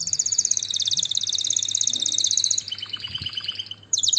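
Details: Canary song opening with a long, high, fast trill, then a softer, lower rolling phrase of repeated notes, and finishing with a sudden sharp high note.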